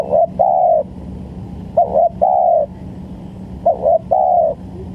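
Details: Spotted dove lure for bird trapping: three evenly spaced phrases, each a quick stuttered note and a long smooth coo, repeated roughly every 1.8 seconds.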